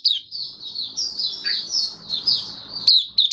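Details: Open-singing (buka sing) white-eye, a kept bird given deworming and health supplements, 18 May 2022; a short, flowing, high-pitched warble with unbroken twittering notes over light background hum.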